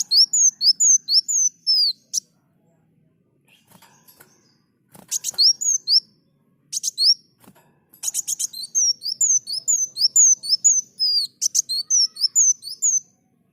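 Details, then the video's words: Olive-backed sunbird (kolibri muncang) singing vigorously in a tutor recording for cage birds: rapid series of thin, high, rising-and-falling whistled notes, about two per second, in several bursts separated by pauses and sharp clicks. "Masteran Burung Kolibri Muncang Gacor"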